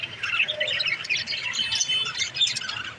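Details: Budgerigar mother in a nest pot gives a steady stream of high chattering chirps with a few thin whistled notes mixed in, over a low background hum.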